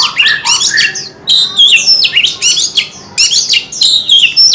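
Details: Oriental magpie-robin delivering energetic song in four loud bursts of mixed whistles, buzzy notes and falling slurs, each about a second long with short pauses between.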